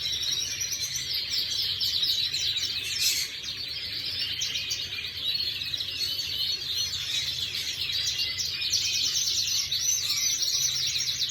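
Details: Canary singing, recorded on 14 May 2025: continuous high, rapid twittering and trilling with dense chirps throughout, over a constant low hum.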